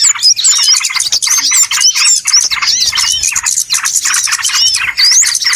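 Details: Small birds calling loudly in a trapping lure: relentless high-pitched chirps and squeaky slurred whistles, many birds overlapping in a continuous racket.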